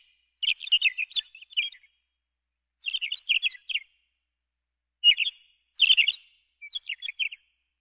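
McCown's longspur gives bright, high twittering chirps in short rattled bursts, about five clusters over eight seconds, against a quiet background.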